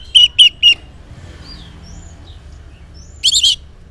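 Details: Orange-headed thrush in the morning, song used as a lure to make silent males answer; three quick high chirpy notes, a pause with faint thin whistles, then a short burst of rapid notes at the end.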